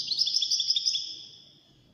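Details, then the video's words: Short wdaniya song phrase from a European goldfinch in a five-bird competition: a fast, evenly pulsed trill of sweet, high tinkling notes that trails off within about one second. "مسابقة افضل تغاريد 5 حساسين ويدانية"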